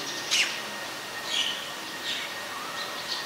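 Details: Black-collared starling in Ubon Ratchathani, Thailand, recorded 17 November 2021: brief harsh, scratchy high notes given about once a second, loosely spaced, over a quiet background with a faint steady hum.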